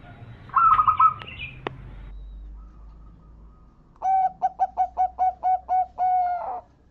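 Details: Champion zebra dove song played as a lure: a brief rolling trill, then a quiet pause, then a run of about eight evenly spaced, low, staccato coo notes ending in a longer drawn note.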